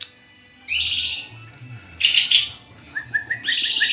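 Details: Energetic white-rumped shama song: harsh, dense high chattering bursts alternate with a short series of quick upslurred whistles repeated about twice a second, over a steady low background hum.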